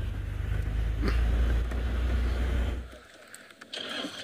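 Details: A car engine rumbles loudly, then fades to quieter outdoor background with a few knocks, and no animal calls.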